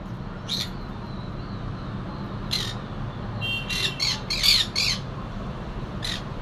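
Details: Harsh, grating squawks from a noisy little pet conure newly added to a household, several calls clustered in the middle in a quick irregular burst, with constant low background rumble and hiss.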